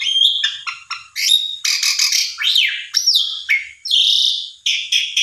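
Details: Asian pied starling used to prompt a quiet bird into song, producing loud harsh rasping bursts, sliding whistles and a long high buzzy note in rapid succession.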